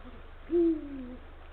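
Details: Late-afternoon call from a male Eurasian eagle-owl perched at the nesting area, calling the female on 17 February 2023: a single low, booming hoot trailing off into a quieter descending note.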